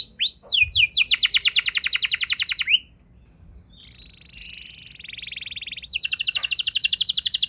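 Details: Canary song meant to trigger other canaries into full singing: opening swept notes, a long fast buzzy trill, a quieter lower rattling trill, then another loud rapid trill.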